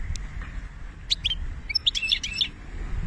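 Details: European goldfinch from Algeria giving a few sparse, high twittering notes between one and two and a half seconds, short sharp chirps clustered together, over a steady low background rumble.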